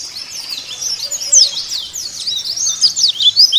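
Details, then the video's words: White-eye song aimed at getting caged birds to sing: a steady flow of high, thin twittering with sharp downslurred notes, moderately loud throughout. "Pancingan Pleci Agar Buka Paruh Sobek-Sobek"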